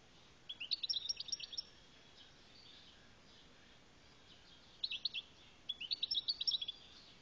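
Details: Algerian goldfinch giving short phrases of sharp, high, chirping twitters: a quick run at the start, a long pause, then two clipped bursts of tinkling notes near the end.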